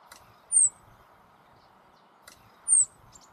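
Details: Rock bunting in the Moselle valley, Germany: two thin, very high, slightly falling 'tsii' notes about two seconds apart, sharp and clear against a steady low background hum with faint clicks.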